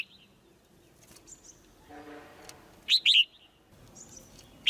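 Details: Caged female white-eye giving chirps meant to spur the male into stronger song; a paired burst of sharp high chirps mid-way and another at the end, with a brief low tonal rumble and faint scattered sounds before.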